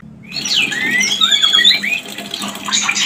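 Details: White-rumped shama mating song, played as a lure to bring birds into breeding condition: loud, sweeping whistled phrases that rise and fall, with a faint low hum underneath.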